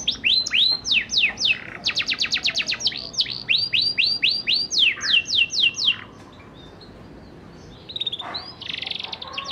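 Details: Young canary working on ngerol song to spur other canaries: rising slurs, a fast trill and falling whistles over six seconds, then a two-second pause and a faint buzzy phrase.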